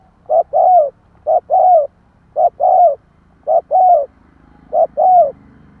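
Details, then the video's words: Spotted dove cooing for luring wild birds: five phrases roughly every 1.1 seconds, each a short hollow note followed by a fuller, drawn-out coo that falls in pitch. Faint low background hum. "Tiếng Chim cu gáy kích bổi nhanh nổi hiệu quả"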